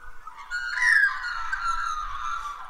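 Australian magpie giving a clear, fluty whistle that lifts briefly, then glides down and holds steady, over a faint low hum.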